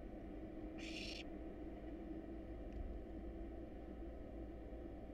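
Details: A single harsh, hissing half-second screech from a wild barn owl nestling in a camera nest box, while the young are fed a rat and a rabbit, then only steady low hum.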